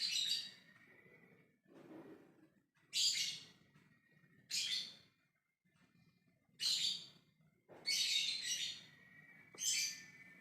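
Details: A lovebird calls out to other birds in the ngekek style. It gives six or seven loud, grating shrieks, each about half a second, separated by brief pauses, with a thin constant tone running beneath.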